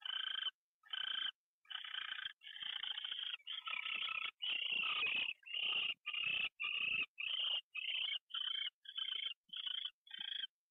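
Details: Morning fly-in of an owl, 6:14 AM, 27 January 2013: a run of rasping, hissy screeches, some long and merged, others short and clipped, quickening toward the end, with scuffling low thumps in the middle.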